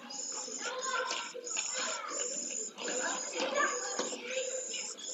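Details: Pallid swift, an only chick, fed in its nest at Jerez de la Frontera, Spain, September 2022, producing a steady series of thin, buzzy, high trills broken by short pauses, amid shuffling and scraping.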